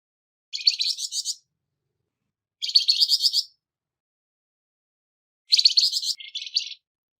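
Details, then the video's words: Flamboyan bird with a harsh voice, used as song material for training songbirds; three coarse, buzzy phrases of rapid pulsed notes, each about a second long and about two seconds apart, the last one broken in two; no other sounds. "Burung Flamboyan Suara kasar Untuk Isian Burung Ocehan Anda"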